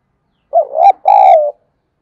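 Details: Spotted dove cooing, played to stimulate wild doves to respond: a loud, clean two-part phrase, a short rising-falling hoot then a longer steady coo sliding down at the end, with silence around it.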